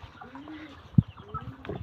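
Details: A pigeon from a mated pair gives a soft, low, drawn-out coo, with a dull thump partway through.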